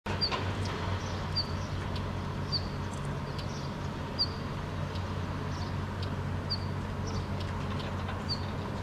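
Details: Male Northern wheatear (Oenanthe oenanthe) on rocky ground in Helsinki, Finland, in June 2013, calling while hopping: short, thin high whistled notes about once a second, over a steady low rumble of wind or distant traffic.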